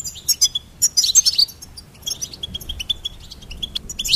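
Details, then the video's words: Goldfinch song of crisp, separate high peeps and a loud twittering burst, then quick repeated chirps in an even rhythm, in a quiet setting. "Charming Goldfinch Peep Fun for bird stimulation birds chirping"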